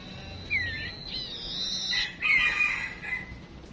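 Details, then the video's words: Female decoy songbird calling to prompt male song: a bright curling whistle, then a steady high trill that runs into a louder warbled, buzzy phrase. "Chim Huýt Cô Mái Mồi Đấu"Thúc Chim Chuyền Hót Ra Giọng"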